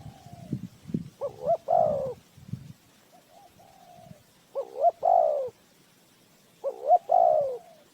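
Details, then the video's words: Lure spotted dove calling for a bird trap. It gives three clear, repeated coo phrases, each a short double note leading into a longer rich coo, spaced about two and a half seconds apart, with a soft trailing note. "Tiếng chim cu gáy mồi chuẩn gáy gọi cực hay"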